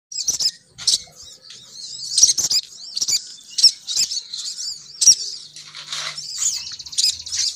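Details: Female sogon bird lure call, used to draw males down: dense, high, thin chirps and squeaky twittering in rapid irregular bursts, with short sharp clicks between phrases.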